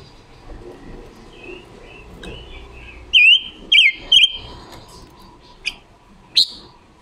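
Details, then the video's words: Red-billed leiothrix female decoy training its wild-style voice, October 2021, a song used as a lure for trapping; quiet warbling leads into three loud slurred whistles, followed by two brief sharp chips. "Ngũ sắc mồi già rừng hót hay, ngũ sắc mồi luyện giọng hót của chim già rừng ngũ sắc mái mồi"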